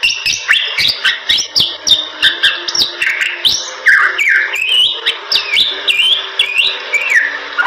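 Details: A Bali myna in lively super gacor song delivers a rapid string of whistled slurs, some rising steeply and others falling, with raspy notes in between and short percussive clicks in the background.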